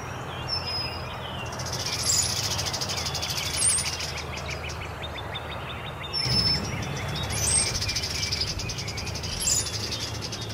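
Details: A gathering of birds, possibly cowbirds courting, on 12 April 2015: about five bursts of liquid gurgles ending in thin, very high whistles, every one to two seconds, over a steady low rumble.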